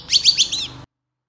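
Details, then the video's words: Long-tailed shrike recorded as a training model song, giving four quick, high, chattering notes, each a sharp downward-sweeping chirp, all in under a second. "SUARA CENDET FULL ISIAN GACOR DOR"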